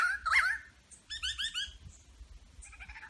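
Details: Wild superb lyrebird in Berowra Valley National Park mimicking other birds, including whipbird, wattlebird, lorikeet, butcherbird and currawong. Short harsh squawks give way to a run of quick, stuttering chirps, with a low background rumble.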